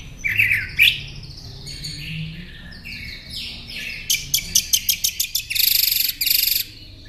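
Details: Northern mockingbird song as tutor material for caged songbirds: warbled slurred notes, scratchy buzzy phrases, then a fast series of loud clicking notes and a sustained harsh rasp.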